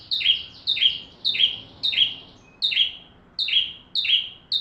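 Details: Bar-winged prinia in full song for teaching magpie-robins: a quick run of piercing chirps, each sliding down into a short buzz, repeated steadily against a quiet background.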